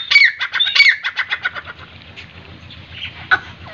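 A partridge gives a quick run of harsh, ringing notes, about eight in under two seconds, fading off. A faint whistle follows near the end.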